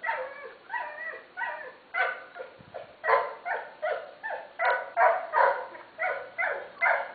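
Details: Fila Brasileiro puppies, black and brindle-golden litter of males and females, giving a dense run of high whining yelps and whimpers, about two or three per second, overlapping voices rising and falling, loud and continuous throughout.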